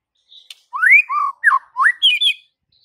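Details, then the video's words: White-rumped shama training song meant to win over a mute shama: a short run of rich, looping whistles, rising and falling notes in quick succession followed by a higher twittering flourish. "Murai Batu BISU seketika langsung TERPIKAT dengan MASTERAN murai batu ini"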